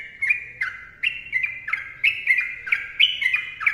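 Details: A sooty-headed bulbul sings a long run of liquid, chattering whistles, each phrase opening with a crisp click and sliding slightly, delivered about once a second.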